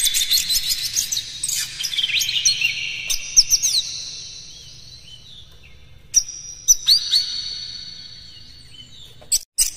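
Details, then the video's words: Oriental magpie-robin morning song meant to get caged birds singing and spreading their tails; quick high chirped phrases give way to a long buzzy trill, with isolated sharp clicks and notes later. "suara PAGI!! KACER Gacor Master PANCINGAN Buka Ekor KONSLET bongkar MATERI KASAR agar gacor"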